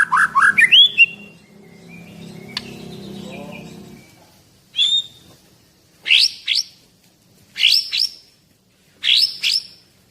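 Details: Caged white-rumped shama of the Medan type, an 11-month-old male, giving quick rising notes, then after a quiet stretch short bursts of sharp high notes repeated about every one and a half seconds.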